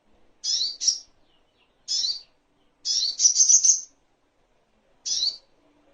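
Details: High, sharp chipping notes from a little spiderhunter, used as tutoring material for caged songbirds. Single and paired chips come at uneven intervals, with one brief run of rapid notes in the middle. The background is quiet.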